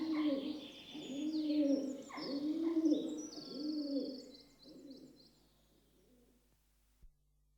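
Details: Rock dove, commonly called pigeon, giving gentle cooing: low, soft, rolling coos in about four linked phrases over five seconds, then fading to quieter coos, with faint high chirps from other birds above.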